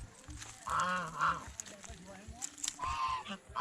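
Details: Pond geese eating bread and fresh vegetables; a few distinct nasal honks, two close together then another after a pause, over low background noise.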